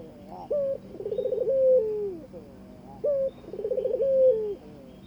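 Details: Barbary dove courting its mate. It gives two coo phrases, each a short steady note, a rapid throbbing roll, then a long gliding note that falls away. The phrases repeat about every two and a half seconds against a quiet background.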